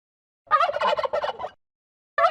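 A turkey gobbles in one rapid, bubbling, rattling burst about a second long, then starts another gobble just after.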